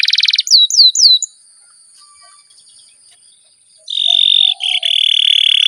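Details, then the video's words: Caged canary singing in a long-roll style for training young birds: brief trill and three down-slurred whistles, a pause of near silence, then loud steady buzzy rolls with a short break. "BURUNG KENARI GACOR NGEROL PANJANG JITU"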